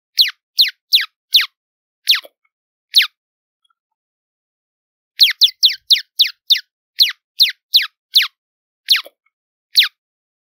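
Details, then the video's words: Hummingbird giving rapid runs of high descending chips, about four in quick succession, a pause, then a longer burst of a dozen or more sharp notes. "Sonidos de Colibries - COLECCION SONIDOS DE COLIBRIES - Hummingbirds Sounds"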